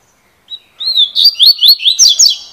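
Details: A Double-collared seedeater gives the cilada song style, opening with a brief note and a drawn-out whistle, then a string of bright, rising, evenly spaced chirps.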